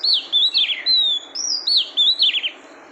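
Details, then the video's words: Female oriental magpie-robin calling to stimulate the male: a continuous run of clear whistles, some long and level, others looping and falling steeply, delivered in quick succession. "Tiếng chòe than mái kích Trống"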